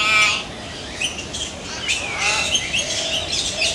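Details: Hill myna giving a loud harsh squawk, then a run of varied shorter notes, some whistled and slurred, others scratchy, in a steady outdoor background.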